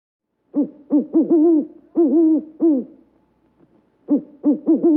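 White owl giving a quick run of four short, mellow hoots, then two more after a pause and three more at the end, each slightly bending in pitch.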